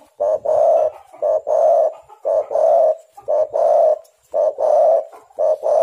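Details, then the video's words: Spotted dove calls used as a lure to draw other birds and make them sing; deep, hoarse cooing phrases of two or three notes, repeated about once per second in a steady rhythm. "tekukur super gacor 1juta burung dengar suara ini langsung emosi"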